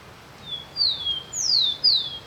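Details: Rufous-collared sparrow in Araucaria Provincial Park, San Pedro, Misiones, Argentina, singing in forest: three clear, high whistles, each sliding downward, about half a second apart, over faint background hiss.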